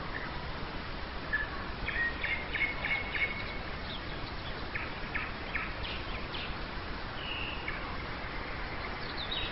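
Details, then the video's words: Nightingale song at dawn in May 2011, Nizhny Novgorod, Russia: a drawn-out whistle followed by quick series of repeated clipped notes and rattling pulses, fairly faint against a constant hiss of background noise. "Пение соловья"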